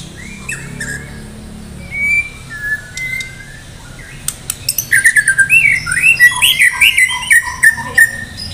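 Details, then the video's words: Medan white-rumped shama in full song with varied fill-in phrases, ready for a singing contest; a few thin whistles, then from mid-clip rapid repeated whistled and chirped notes over steady background hiss. "murai batu medan gacor siap ikut lomba || murai batu gacor full isian"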